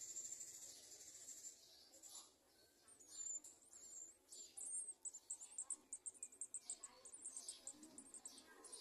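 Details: Garden sunbird chicks begging while being fed at the nest by adults; very high, thin chirps, scattered at first, then a fast regular series of sharp notes through the second half, with faint rustling.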